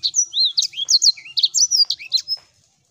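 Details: Lure recording of a sanger singing to prompt a quiet caged bird to sing again: a rapid burst of bright, high slurred whistles and chirps, wavy notes alternating with sharp downstrokes, ending abruptly in silence.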